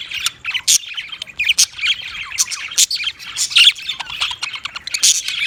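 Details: Rapid budgerigar chatter, a jumble of high squeaky chirps and sharp clicking notes coming in dense, uneven bursts.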